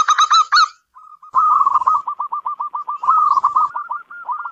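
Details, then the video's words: Local zebra dove (perkutut) singing: a bright, rich cooing burst opens, then a long run of short, quick, evenly pitched coo notes with another brighter flourish midway. "Suara burung perkutut lokal pembawa rezeki dalam rumah"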